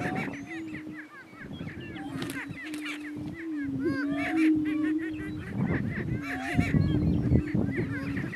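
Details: Greater prairie chicken males sparring for dominance on a northeast Kansas lek, giving a sustained low humming boom with slight dips, accompanied by frequent short cackles, whoops and a brief burst of low rustling.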